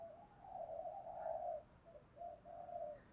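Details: Morning cooing of a spotted dove meant to stir rivals into fighting: a run of low, hollow coo notes, one long drawn note and shorter ones after a pause, heard faintly over a hissy outdoor background.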